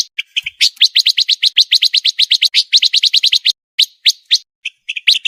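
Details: Pancawarna singing in a dense, speedy master recording meant for contest birds: a long burst of rapid sharp chirps, then a slower scatter of separate high notes.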